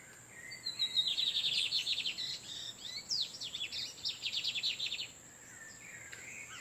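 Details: Wild male lined seedeaters, Torniado song style, exchanging song near an incubating female in nature: a high, rapid twittering trill with sharp whistled notes in two bursts, then short faint chirps.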